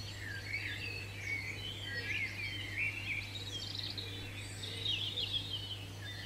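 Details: A European robin sings in a British garden, a rich, liquid warble of quick varied phrases with thin, high-pitched notes, running almost without pause over a low steady hum.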